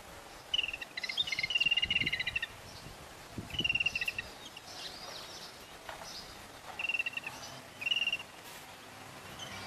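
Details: Yellow-billed babblers feeding their chicks; short harsh rattling bursts near one second long, repeated several times with gaps, over steady background noise and some low thumps.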